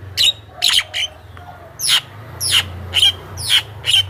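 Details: Javan myna, used as a lure to attract wild mynas: harsh broadband squawking notes with a bright whistled peak, repeated about every half second with brief gaps, over a low steady hum.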